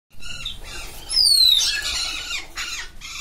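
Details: Hyacinth macaw giving a harsh, loud squawk lasting about a second, preceded by a clear whistled note that slides downward; fainter scratchy sounds come before and after.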